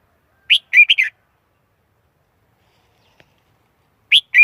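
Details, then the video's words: Red-whiskered bulbul sings a quick four-note warbling phrase, goes silent for about three seconds, then starts again with a sharp rising note. "Tiếng chim chào mào"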